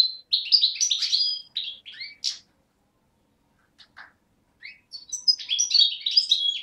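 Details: Young European goldfinch of the parva subspecies, hatched 2011, from Beni Snassen on the Morocco–Algeria border, recorded 8 January 2012: bursts of rapid liquid twittering and buzzy trills, a gap with scattered single chirps, then twittering resumes.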